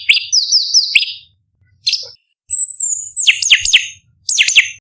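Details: Sooty-headed bulbul (cucak cungkok) master song for training competition birds, sharp and high-pitched. Bursts of slurred, falling whistles are broken by silences. A long, thin, steady high whistle comes midway, followed by quick descending notes.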